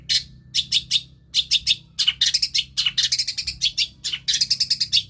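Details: Long-tailed shrike (cendet) imitating other birds sings clusters of sharp, high chirps, first in spaced groups of two or three, then in a denser, faster run of bright notes.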